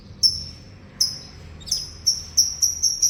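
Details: Yellow canary singing in the morning: clear high whistled notes that begin spaced apart, then come faster and faster, running into a quick bright trill.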